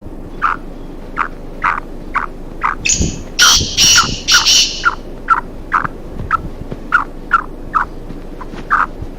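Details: Black francolin pair roaming free in a forest: short harsh notes repeated about twice a second, steady and rhythmic, broken midway by a brief loud burst of squawking noise.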